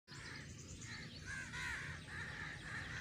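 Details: Crows giving harsh, arched caws in a steady run of about six short calls over three seconds, each slightly rising then falling, with a constant low rumble of background noise.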